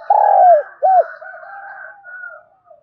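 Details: Caged decoy spotted dove in Đồng Nai, Vietnam, calling to stir up wild doves: a loud, drawn-out cooing note, then a short curved coo, trailing into softer, fainter cooing.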